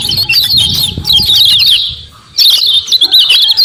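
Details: Common iora uttering 'ciak ciak' lure calls to prompt a response: quick high chirps and slurred notes, a brief drawn note, a near-silent gap around two seconds, then a fresh burst of chatter.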